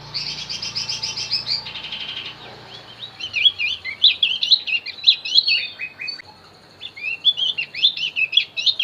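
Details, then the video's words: Javan white-eye song used to lure wild birds: opening buzzy trilled chatter, then fast high twittering warbles with sharp up-and-down slurs continuing to the end. "opior Jawa pasti nyaut pancing dengan Opior Jawa ini"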